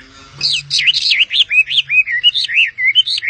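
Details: Bird song as a fast run of looping, warbled whistles, each note swooping up and down, delivered almost without pause after a brief low hum at the start.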